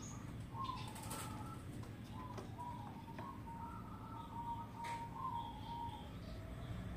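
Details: Zebra dove song: soft, mellow cooing notes strung into a rippling series, fairly faint above steady low background noise.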